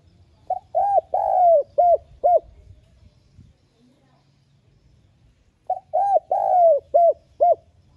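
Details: Spotted dove decoy song, a soft urging coo meant to excite doves into cooing quickly: two identical phrases of five hollow notes, a long sagging one in the middle, split by a quiet gap of about three seconds.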